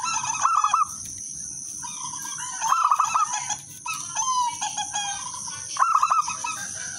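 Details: Local zebra dove singing with a clear, melodious rhythm, used as a lure for other doves. Three rolling trilled coo phrases, softer murmuring coos between them, and a steady high-pitched hiss.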